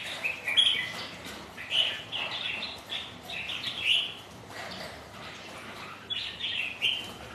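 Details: Kept red-whiskered bulbuls in a rainy-day sparring session between rival birds; a series of lilting whistled phrases, each lasting about half a second, spaced irregularly, over a continuous faint hiss.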